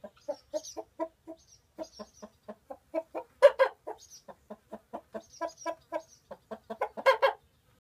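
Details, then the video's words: Chickens in their farm chicken house by day, come in to roost and protesting at a visitor; continuous quick low clucking with occasional louder, rougher squawks and faint thin high notes. "Chicken house cluck-cluck"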